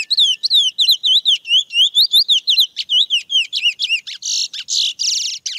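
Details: Wild chestnut-bellied seed finch (curió mateiro) in natural song, a rapid series of bright whistled upslurred and downslurred notes repeated several times a second, ending in harsher buzzy phrases, clean and without background noise.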